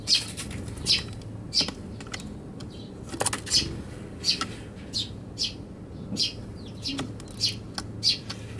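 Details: Eurasian tree sparrows on a balcony on Tanabata, 7 July 2021, fighting over a box, recorded with an RX100M5A camera; short high chirps spaced irregularly about every half second to second, with wing flutters and faint traffic hum.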